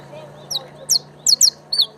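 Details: Creole canary (canario criollo) uttering five sharp, high chirps spaced irregularly across two seconds, some doubled, over a steady low hum and faint background murmur.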